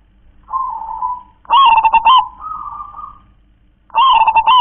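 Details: Zebra dove of local wild stock singing in the KONG KLAR-KE-TEK-KONG style: soft intro coo, loud choppy stuttered burst, a level tail note, then the next phrase starting.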